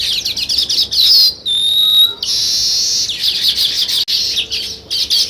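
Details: Busy sparrow chirping, with sharp high notes tumbling over one another, briefly interrupted by a pure, steady whistled tone before the chatter returns.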